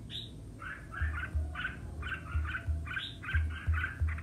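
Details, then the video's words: Red-whiskered bulbul in a singing contest: quick bubbly warbled phrases repeated about three per second, with a rising whistle at the start and regular low thumps underneath. "Chào Mào Hót Đấu - Kích Chào Mào Hót Đấu Căng Lửa - Chào Mào Ché Sung Lửa"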